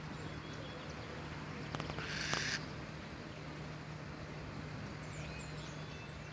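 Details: Owl calling in a cemetery: one harsh, hissing screech lasting just under a second, set against a steady low electrical hum and faint background noise.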